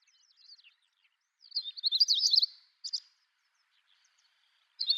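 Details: Wild long-tailed rosefinch recorded early in the morning at Hokkaido's Wakka Primeval Flower Garden, Japan: soft notes, then a loud tumbling phrase of rapid high whistled slurs, a brief separate note and another phrase starting at the end.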